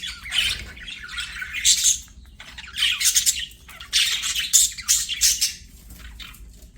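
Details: Budgies singing and playing indoors: bursts of harsh warbling chatter and squawks lasting one to two seconds, separated by brief quieter gaps, over a soft low hum.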